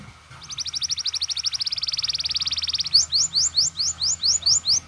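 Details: Canary ngerol roll used as masteran to excite other canaries: a long accelerating trill of tight high notes lasting over two seconds, followed by a run of loud, evenly spaced rising whistles.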